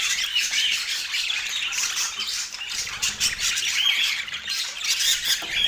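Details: Parakeets kept as pets chattering during an autumn morning meal; harsh squawks and bright chirps pile up in a constant high-pitched babble.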